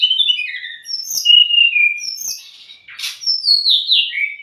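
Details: Provocation and tutoring song of a white-rumped shama, meant for young or stressed birds: clear falling whistles and high chirps in quick varied phrases, with a brief harsh burst near the middle.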